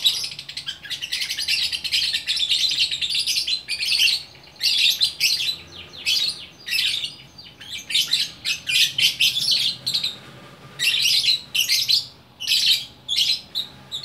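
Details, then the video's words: Gacor orkestra lovebird song from Bukittinggi, West Sumatra. Long runs of rapid, harsh twittering chatter with squawky notes, broken into bursts by brief gaps, with a faint low hum underneath. "Burung Lovebird Gacor Orkestra"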